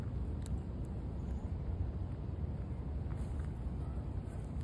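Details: Steady low rumble of passing vehicles fills the recording, with a few faint clicks and no animal voices.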